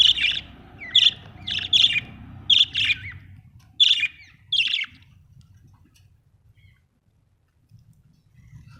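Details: Happy budgerigar chirping in a rapid run of about eight sharp, buzzy high chirps, roughly one each half second, then falling silent with only faint low rustling.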